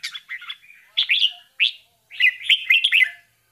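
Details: Bulbul chicks being fed by their mother give bursts of high, scratchy chirps in quick clusters, a short flurry, a pause, then a longer excited run of squeaky calls.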